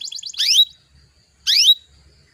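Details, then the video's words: Lure song of a canary, meant to get rival canaries singing fast. A brief rapid trill leads into a harsh, rising, buzzy sweep. After a second of quiet a second rising buzzy burst follows. "PANCINGAN KENARI BAHAN AGAR CEPAT BUNYI"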